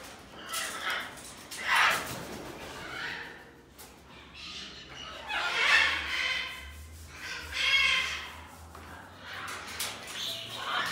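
Galahs and Major Mitchell's cockatoos give harsh, raspy screeches in bursts every two seconds or so, in an echoing room with faint voices.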